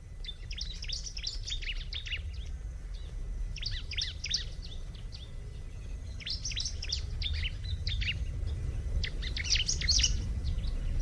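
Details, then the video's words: Rapid high twittering from a bar-winged prinia, about three notes per second in uneven bursts, over a steady low hum that grows louder toward the end. "Terapi kicauan alam burung ciblek"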